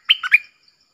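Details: Red-whiskered bulbul giving a clear doubled-style song phrase: three rapid, bright whistled notes, the last rising and falling, lasting under half a second.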